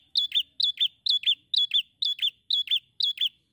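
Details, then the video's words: Bar-winged prinia singing: bright two-part phrases, a sharp high note then a slurred dip, repeated about twice per second with even rhythm over a clean, quiet background. "PRENJAK SEMI GACOR MEMPESONA"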